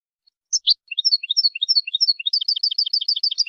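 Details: Goldfinch training song: a few separate high chirps, then a quickening series of paired twittering notes that run into a dense rapid phrase, with a clean background.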